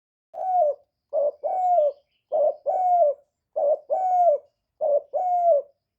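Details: Spotted dove lure call used to stimulate captive doves, recorded directly without background noise: repeated two-part cooing, a short note followed by a longer level coo, about five phrases in six seconds.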